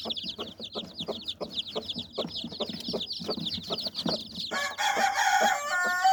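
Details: Mother hen gathering her nine chicks under her wings, clucking to warn them. Quick, low, gruff clucks come several times a second over a dense chorus of high chick peeps. Mixed noises and a sharp tonal squeak follow in the final seconds.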